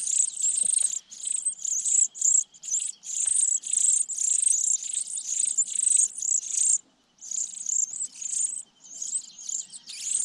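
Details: A brood of sparrow nestlings at the top of a pine tree begging while parents feed them: long run of shrill, buzzy high chirps in rapid clustered bursts, one clear silent gap midway.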